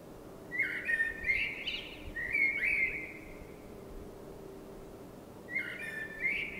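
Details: Blackbird song on a spring night, three warbled fluty phrases spaced about two seconds apart, each a rich whistle with a brief squeaky upper tail, against quiet low rumble.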